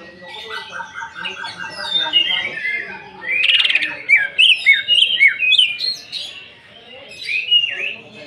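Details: Greater green leafbird singing to provoke others, 'nembak' style with rough fills: a run of soft evenly repeated notes, a harsh buzzy burst, then loud sharp down-slurred whistles repeated in a quick series.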